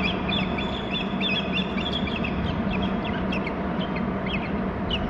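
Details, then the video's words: Bald eagles on Hornby Island, both birds calling while alerting and mating near the nest: rapid, high, squeaky chirps tumble in uneven bursts, some sharply rising, above a constant heavy low hum captured by a nest camera. "both are calling, alerting, mating and then more calls"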